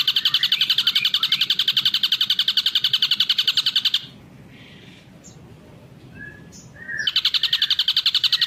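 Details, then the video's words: Ashy drongo song, taken from a long masteran recording for training songbirds. A dense, fast, buzzy trill repeats many notes per second, stops for about three seconds with a few soft chips, then starts again just as strongly. "masteran Srigunting abu durasi panjang"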